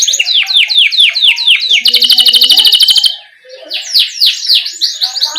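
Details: Canary song in a master-tutor recording meant as a lure for young canaries, full 'ngerol' rolling style: repeated downslurred whistles, a dense buzzy trill, then more rapid descending notes.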